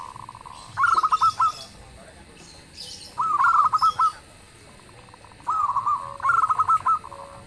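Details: Local zebra dove singing loudly, a voice said to draw replies from other birds: three phrases roughly every two and a half seconds, each a steady coo breaking into a stammering run of clipped notes.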